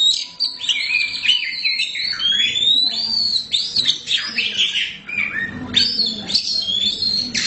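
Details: Continuous loud song from a caged black Oriental magpie-robin (kacer hitam). Rich whistles rise and fall, with looping slurred notes, sharp upward sweeps and short trills, phrase after phrase. A low hum and faint voices sit behind it.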